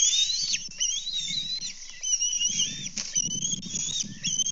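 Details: At a Kansas bald eagle nest, May 24, 2024, amid breakfast fish deliveries and a fish theft: dense, overlapping high whistled chatter with wavering, slurred notes, with low thumping and rustling beneath.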